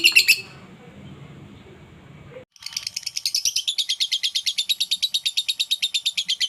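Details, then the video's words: Lovebird ngekek song used to trigger singing in other lovebirds: after a short burst and a quiet gap, a high rattling chatter begins and runs on in fast regular pulses. "Burung Lovebird ini, rajin ngekek sekali dengar suaranya bikin Lovebird mu langsung ngikut bunyi"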